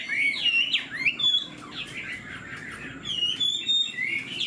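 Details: Caged Chinese hwamei with a fanned tail and fresh new plumage, singing while flicking its tail: loud, rich whistled phrases that slur up and down, quickly varied and run together with short pauses.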